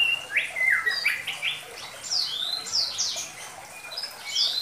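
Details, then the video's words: White-rumped Shama of Medan type giving a lure song for young birds. Quick run of rising and falling whistled notes, climbing higher as it goes, over steady background hiss. "Pancingan Sederhana Pastol || Murai Batu Medan || Cocok Untuk Murai Batu Muda"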